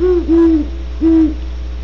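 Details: Three low, even hoots from great horned owls at Starr Ranch, California, each held a quarter second with a slight fall at the end, over a steady background hum.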